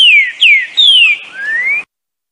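Green-winged Saltator singing a loud, clear whistled phrase: three slurred downward notes, then a rising whistle, all in under two seconds. No other sounds.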